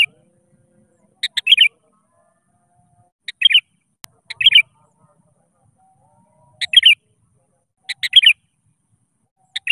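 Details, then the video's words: Sooty-headed bulbul in full song, calling out to rivals, used as a lure to set other bulbuls singing. Short bubbly, chattering phrases of three or four quick notes come every two to three seconds, with faint low hum between. "SUARA PANCINGAN.‼️ Kutilang Gacor Memanggil Lawan. 💯% Ikutan Gacor.."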